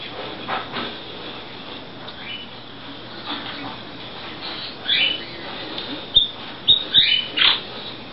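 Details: A canary, a male possibly a non-color-fed orange-yellow color or common canary with many chop notes, gives a few sharp, high chirps and short sweeping notes in the last three seconds, after a quiet, faintly hissy start.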